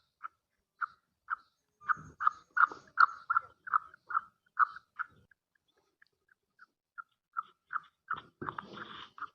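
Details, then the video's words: A female black francolin gives a run of short, clipped mid-pitched notes, two or three a second, swelling then easing off, with bursts of rustling noise; this female call is used to excite male francolins. "Kali Madi ki awaz|Titar ko Mast krny wali awaz"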